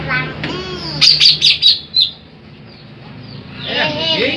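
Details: Big greater green leafbird singing, a recording meant for luring birds: a quick series of four or five bright high chips, then quiet, with a low hum and rumbling noise near the end.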